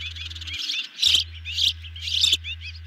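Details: Ospreys at their nest during an evening feeding, 18 June 2020, nest camera. Three short bursts of high, piercing chirps, with softer quick notes between them, over a low hum.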